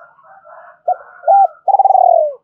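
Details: Decoy spotted dove calling in a double voice to draw in wild doves: soft murmuring, then two short clipped coos and a long, stuttering, pulsed coo that drops in pitch at the end.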